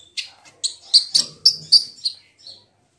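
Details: Sunda pygmy woodpecker, kolibri ninja, used as a lure to make birds sing: a short run of sharp, high chirps, about eight notes spaced unevenly over two and a half seconds.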